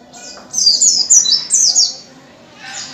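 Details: A wild white-eye sings a fast, very high twittering warble in two tumbling bursts, then starts again briefly, with a low background hum throughout.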